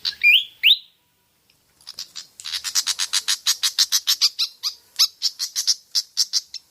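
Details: Pied fantail as a singing lure: two loud upward-sweeping whistles, a short silence, then a long stream of rapid, evenly spaced, high clicking chips.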